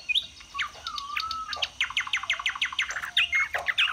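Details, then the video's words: Chinese hwamei kept in a cage, displaying and singing high: a long drawn whistle, then a quick run of sharp chipping notes and rich warbled phrases. "Họa mi xòe vip, xòe bền, hót cao cầu"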